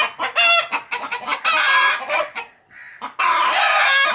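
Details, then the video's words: Pet chickens kept at home cluck loudly in a busy chorus of choppy harsh notes, with a brief lull before a sustained noisy outburst. "My Home Pet Chickens Clucking"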